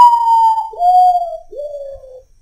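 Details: At midnight a Common Potoo, the nocturnal urutau or ghost bird, gives one melancholy phrase of three whistles, each lower and shorter than the last, sliding steadily downward.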